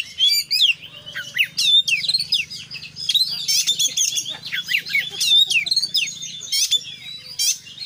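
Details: Kacer, the Oriental magpie-robin, in full 'konslet' song rich in fill-in phrases: bursts of piercing whistles and buzzy trills alternate with quick slurred notes, steady low hum in the background.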